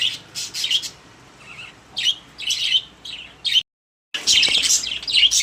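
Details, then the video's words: Caged pet budgerigars give scratchy high chirps and warbling, sparse at first, then a dense burst of chatter after a short silent break. "My Happy Budgies | Spreading Love in the Cage"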